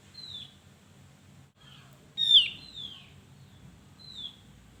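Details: Javan grey-throated white-eye in full song, meant to stir lazy birds into singing: high thin down-slurred whistles, one loud sharp plunging chirp with a slurred follow-up, and a final whistle, over faint low background rumble.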